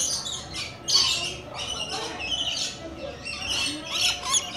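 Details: Harsh, grating screeches from rainbow lorikeets alongside coconut lorikeets come in quick bursts, several per second, with a steady faint hum behind.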